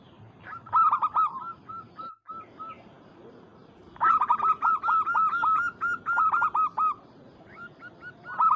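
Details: Local zebra dove calling its rival to provoke it: an opening string of clipped coos, a quiet gap, then three seconds of rapid, loud repeated cooing with overlapping voices and a final burst.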